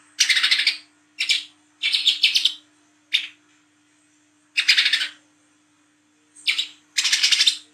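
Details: Olive-backed sunbird of the speckled wiceh type, recorded at night, singing in ngriwik style for use as a lure: seven dense, high, buzzy rattling bursts separated by short silences.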